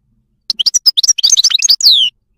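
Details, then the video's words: Wild goldfinch from Morocco delivering a short, quick phrase of bright chirps and tinkling notes that speeds into a dense twitter and closes on a long downward-slurred whistle. "song of the moroccan wild goldfinch"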